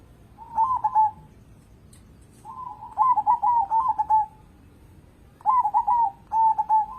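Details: Local zebra dove in full voice, used as a lure bird: loud, mellow cooing phrases of rapid staccato notes, two of them run together into a longer rolling series, in a quiet setting.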